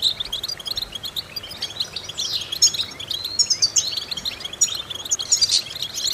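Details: Goldfinch song played as a vocal exercise to stimulate goldfinches: busy high chatter with upward-sweeping whistles and tinkling runs, and louder flourishes near the end.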